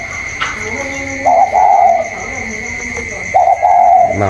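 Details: Spotted dove of the còi style in a contest with a wild bird outside, 27 October 2022: two strong wavering coo phrases, faint lower coos in the gaps, a constant thin whine behind.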